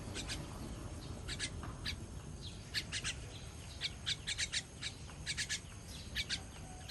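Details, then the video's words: Baby bird being fed, 18.06.23, makes scattered short, high chirps, some doubled or tripled, over a steady background hiss. "Feeding baby bird"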